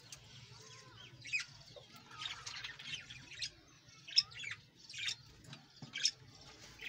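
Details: Colony of caged Australian parrots kept for breeding, giving sharp, high chirps in short irregular bursts every second or so over a quiet low hum.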